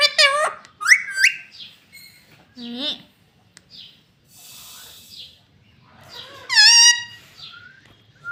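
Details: Home-kept talking parrot known for repeating "Mitthu" and "Mummy": sharp rising and falling harmonic squawks at the start, quieter voiced sounds in the middle, then a strong wavering call near seven seconds.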